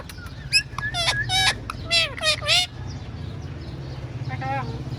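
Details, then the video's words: A tame, playful, friendly pet talking parrot gives a quick burst of five or six harsh, speech-like squawks, then one more after a pause, over a steady low hum. "Parrot Sounds | Talking Parrot"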